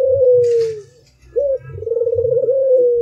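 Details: Albino spotted dove: a long coo gliding downward, a pause, then a short upswept note and a sustained throbbing coo held at an even pitch.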